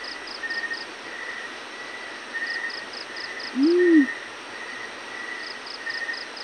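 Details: Yellow-breasted fruit dove calling in the morning: a single soft, low hoot that swells and fades in about half a second, over a steady background of pulsing insect chirps and a thin high insect hum.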